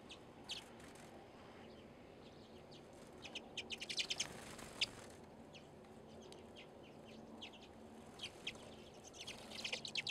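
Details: Redpolls, small cold-weather finches, at a backyard seed feeder in February in Anchorage, Alaska, in deep winter. Short, high, scattered chips and brief zapping notes, bunching into small bursts near the middle and end.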